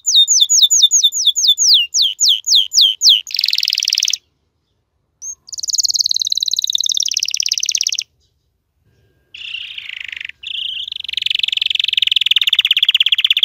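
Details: Caged domestic canary singing in bursts: rapid sweeping downslurred notes, a dense buzzy trill, short pause, another long rolling trill, then a lower warbled tour, separated by brief silences.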